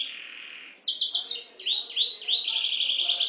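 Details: Canary of the F2 type singing: a short held buzzy note, then a run of quick descending whistled slurs that settles into a rapid, steady trill of repeated high chirps.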